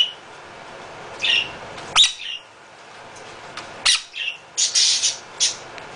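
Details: Male half-moon conure living at a bird rescue, loud most of the time, producing piercing squawks and raspy screeches in uneven bursts, several clustered close together near the end.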